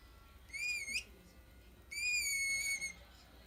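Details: Pet green-cheeked conure making noises indoors: two clear whistled notes, the first short and rising, then after a pause a longer steady whistle that eases slightly downward, both bright and ringing.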